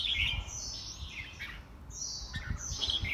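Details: White-rumped shama at a home singing contest in Vietnam, giving quick bright whistles and slurred downward notes in rapid, uneven succession over light low-pitched background noise.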